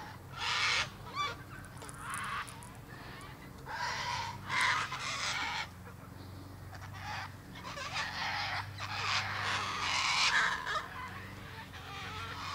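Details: Several harsh cockatoo screeches come at uneven intervals, some drawn out and some clipped, with quieter squawks between them and a steady low hum throughout.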